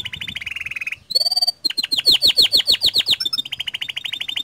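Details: A canary in full gacor song, used to lure other canaries into singing: a fast buzzing roll, a brief pure whistle, then a string of loud descending chirps and another rapid trill.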